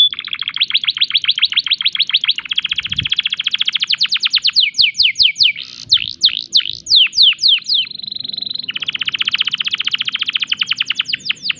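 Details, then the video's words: Canary in breeding condition delivering long rapid rattling trills, then varied swooping slurred notes and a steady whistled tone before another fast trill. "tembakan unik kenari gacor birahi"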